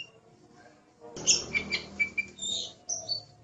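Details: Oriental magpie-robin singing lively 'gacor' song for training songbirds: soft notes, then sharp high whistles and buzzy phrases over a sudden rough rustling background noise.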